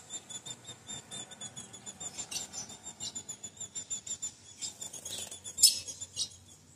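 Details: A female ultramarine grosbeak, used to warm up males and said to be very hot and ready to breed, gives thin, high, squeaky call notes, three or four a second, with a few louder sharp bursts near the end in a quiet room.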